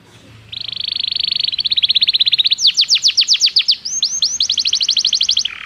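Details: Belgian canary singing for training: begins with a steady buzzing trill, speeds into a chattering series of notes, then switches to loud sharply descending whistled notes repeated about four per second, ending with a short low note.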